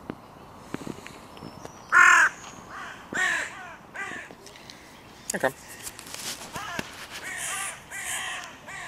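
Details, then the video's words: Crows at the music pavilion in König-Albert-Park, where the territory borders of three breeding pairs meet and are hotly contested; a run of harsh, rasping caws, one loud and close near the middle, others softer and spaced irregularly. "Tempel der Krähen"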